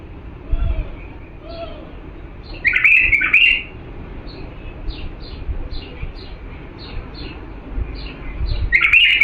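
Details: Diyala bulbul song used to teach chicks to sing: faint chirps early, then a rich burst of slurred whistles near three seconds, a series of soft high ticks, and another bright phrase at the end.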